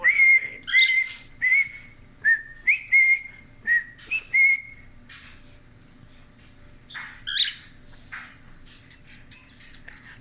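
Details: Male pet cockatiel whistling Another One Bites the Dust on request indoors: a run of clear, bright whistled notes that hold level or bend upward, in short rhythmic bursts, then fainter chirpy notes and a few scratchy sounds.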